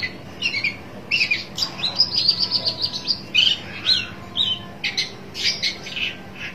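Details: A long-tailed shrike seeking a rival mixes slurred whistles with a quick run of bright, evenly spaced high notes, then scattered harsh chirps and buzzy bursts; a low hum continues underneath.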